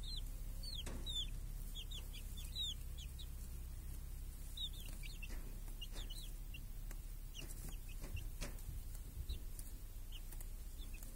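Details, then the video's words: Chicks and hens in a village under a protective cage on a clear summer day; clusters of high, thin, curling peeps come in bursts with quieter gaps, plus occasional sharp clicks and low ambient rumble. "Chickens and hen in the village | Sounds with chicks on a clear summer day"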